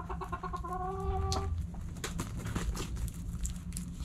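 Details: Backyard hens at sunrise giving a drawn, level harmonic call for about a second, followed by scattered soft clucks and clicks over a constant low hum.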